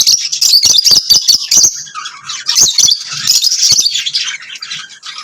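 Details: Lovebirds keep up a steady stream of high chattering and squeaky chirps. Clicky staccato notes fill the first half, followed by a smoother, continuous twitter.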